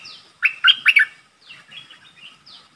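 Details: Captive streak-eared bulbul used as a decoy to call in a wild flock; a short cluster of four loud, warbling chirps, then quieter scattered notes and soft chatter.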